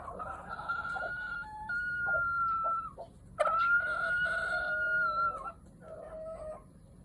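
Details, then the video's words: A pet Japanese bantam (chabo) rooster gives drawn-out, level crowing notes broken by short clucks, two long calls in about seven seconds, with a faint background hum. "いろんな声を出すにわとり Rooster making various sounds"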